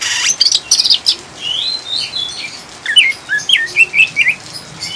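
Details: Oriental magpie-robin chattering song used to calm caged birds: buzzy rattling notes, a rising whistle, then a rapid string of short chirped slurs, over a faint rain-like hiss.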